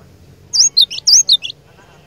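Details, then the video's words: Short phrase of a cinereous tit lure bird: two quick pairs of high, down-slurred whistles, then silence. "Kicauan Glatik Batu Pikat Gacor Door, Cari LAWAN...!!! Dijamin Cepat Bikin Glatik Lain Bunyi Gacor"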